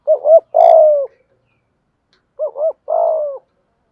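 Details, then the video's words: Spotted dove lure bird cooing to provoke wild doves, 'thúc gù' style: two clean phrases, each two short rising notes followed by a longer falling coo, separated by about a second of silence. "chim cu gay thuc gu, chim cu gáy bài bản giúp bổi nghe gáy theo và rất nhanh nổi"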